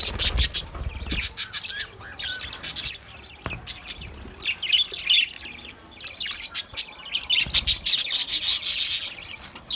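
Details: Several budgerigars speaking to each other in continuous high, buzzy chatter, bursts of sharp chirps and squeaks that swell and fade, growing loudest toward the end.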